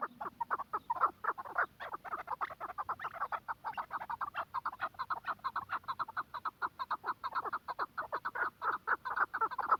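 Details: Quetta chukar partridge calling in a long, fast run of harsh clucking chuck notes, several per second, sustained for about ten seconds with little pause between them.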